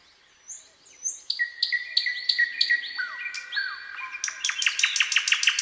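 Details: A Common nightingale sings on a quiet midsummer night, a varied phrase of thin high notes, a run of steady clear whistles, then a fast rattle of sharp repeated notes.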